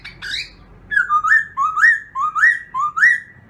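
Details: Black-throated laughingthrush in morning voice-training song: a harsh opening note, then a steady series of clear, upward-sliding whistles, about two per second, each paired with a lower lead-in note.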